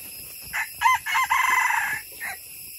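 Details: Wild jungle chicken, caught in a bait trap, crowing with an earthy voice: a stuttering start of short bursts, then one long buzzy, pulsing note about a second long, ending in a brief final note, over a steady high hiss.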